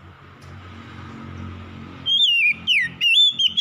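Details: Oriental magpie-robin (kacer) lure song for reluctant singers: after steady background noise, a series of loud whistled notes swooping down and up in quick succession.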